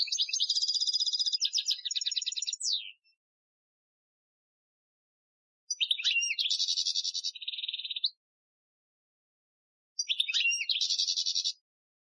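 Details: European goldfinch singing an Algerian-style training song, recorded in 2015: three bursts of high, rapid twittering and buzzy trilled notes, each lasting two to three seconds and separated by silent gaps, no other sounds.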